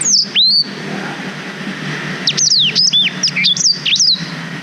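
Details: A black-throated canary, used as a tutor song for young canaries, sings a bright, high, rapid phrase of sweeping whistles and chirps, with a steady low hum underneath.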